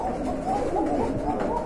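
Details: Red Indigo coloured Koka pigeon pair said to come from abroad, kept indoors in a small room; low, soft rolling cooing that rises and falls in repeated waves, with a faint murmur of voices in the background.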